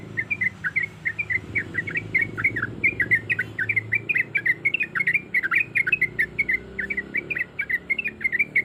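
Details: Yellow-vented bulbul, a female in breeding condition calling a male, in a sustained rapid chatter of bright, slurred chip notes, dense and unbroken, over a noticeable low, murmuring background rumble.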